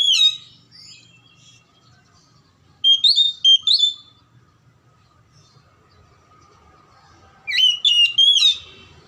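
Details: Magpie-robin singing to coax silent birds into song: three bursts of sharp whistles and chatter, each separated by several seconds of near quiet, over a faint low hum.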